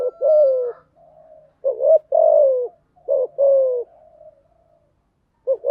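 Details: Spotted dove cooing intended to train newly caught doves: short note and long falling coo pairs, separated by soft low murmuring, over a quiet background.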